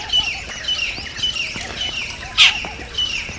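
Jungle babblers give harsh, squeaky chattering notes, repeated irregularly about twice a second, with one louder grating squawk in the middle.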